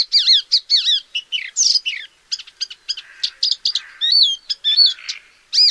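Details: Close paddyfield warbler of Central and Southeast Asia pouring out a lively, mimic-like jumble of doubled wavering whistles, clicks and scratchy notes in rapid succession, clean and loud.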